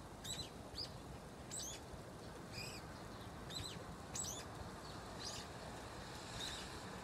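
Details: Cute, chick-like calling from a single brown-eared bulbul, likely very old, inside an osmanthus tree in its autumn-to-spring haunt: clusters of short high chirps and squeaks, often two or three together, then fainter notes toward the end, over soft background noise.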